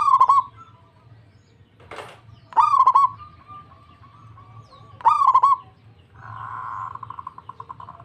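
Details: Local zebra dove singing eagerly and answering another dove at once: three loud, husky stuttered coos that break into quick rolling pulses near one pitch, about two and a half seconds apart, with a short noisy burst and a buzzing trill between them.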